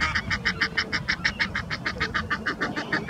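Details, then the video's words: Egyptian goose on the Round Pond, one of two males' mates shouting encouragement during a long fight; rapid, regular harsh honks repeated about three times a second, with faint low background rumble. "Egyptian Geese fighting"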